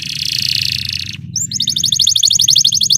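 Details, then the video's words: Belgian canary song used to train canaries: a harsh, noisy buzz first, then a quick rattling trill of short, bright notes about three per second, over a steady low hum. "Belgian canary singing makes your canary sing"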